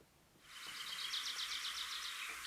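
A Black-throated Gray Warbler sings a quick series of buzzy, high notes, about a dozen in under two seconds, over a faint background hiss.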